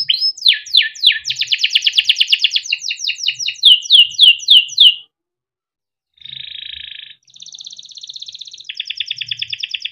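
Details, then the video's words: Young canary in active, long rolling song, kept by a breeder, used to train young birds to sing: rapid high sweeping trills, then a pause, a buzzy flat note and thin high rattling trills. "SUARA KENARI MUDA GACOR untuk pancingan kenari paud || kenari gacor panjang || canaries singing"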